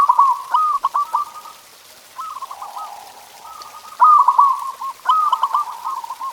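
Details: Local zebra dove singing, a recording meant to provoke pet doves into song: repeated bursts of rapid, rolling staccato coos at an even mid pitch, with loud accented phrases near the start and again after a short pause.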